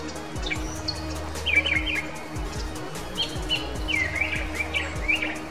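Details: Brown Thrasher singing at Long Point Provincial Park, Ontario, during spring migration: short, varied, slurred phrases, some in quick pairs, bright and mid-high, showing off its large song repertoire. Soft background music hums underneath.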